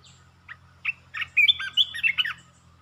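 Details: Red-whiskered bulbul singing a rapid burst of song: a few short rising notes open into a quick run of bright, warbled whistles lasting about two seconds. A faint low hum sits underneath.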